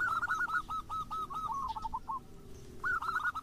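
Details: Zebra dove lure song, local or crossbred birds, used to spark singing in other doves: a quick run of hooked coo notes fading into a softer trill, then a fresh burst of coos after a short pause; noisy background.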